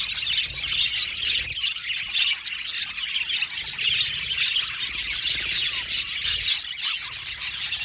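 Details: Aviary of budgerigars chirping and warbling together, a steady high-pitched wall of overlapping chirps, scratchy notes and short whistles that never pauses.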